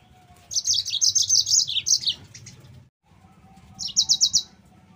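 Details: Yellow-fronted canary (mozambik) singing as a training lure for other canaries: a fast run of high buzzy chirps ending in falling slurs, a short pause, then a quick burst of five repeated notes.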